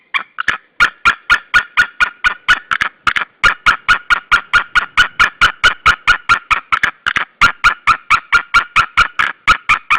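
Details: Pair of white-tailed eagles screaming together at their nest at Saunja, Estonia, on 16 March 2013, the male on a branch beside the female; a long rapid chatter of loud yelping notes, more than two per second, sustained for ten seconds.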